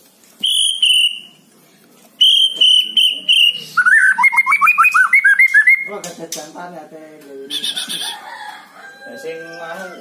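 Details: White-rumped shama song used to coax a lazy bird into singing: long pure whistles, then a fast stuttering series of rising notes, followed by lower harsher sounds and background music.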